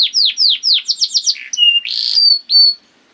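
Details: Canary song meant as a lure to make other canaries sing: a row of sweeping downward whistles, then a rasping burst and steady held whistled tones.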